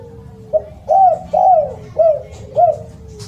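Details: Spotted dove, loud and melodious: a short pickup note followed by four arched, slightly descending coos at a steady pace, with a faint continuous low tone running beneath and a soft click at the end.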